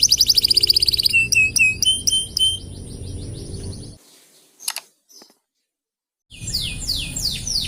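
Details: Canary delivering tutor song for other birds: a quick trill and spaced whistled slurs for about three seconds, a break with near silence and a few clicks, then swooping notes return.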